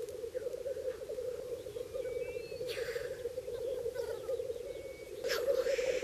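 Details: Black grouse cocks at the Bažu bog lek in Slitere National Park in early spring: a softer, steady low bubbling chorus with two airy hissing sneezes, one near the middle and one toward the end, and a few thin higher calls.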